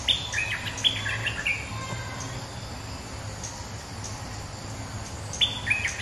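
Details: Resident bulbul answering a rival, recorded as a lure sound: short bright chattering phrases at the start, then again near the end after a quieter gap. A low steady hum runs underneath.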